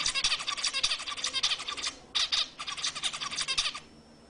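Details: Zebra finch song, used to stimulate females to mate: dense runs of buzzy, harmonic-rich syllables in rapid repeated phrases, a short pause near two seconds, then another burst of chattering notes before fading out.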